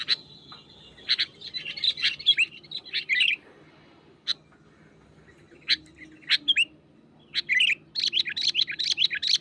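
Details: Wild sooty-headed bulbul singing energetically to press a rival: bursts of bright chirpy, slurred notes in quick clusters, separated by pauses and single sharp chips, with a faint low hum underneath.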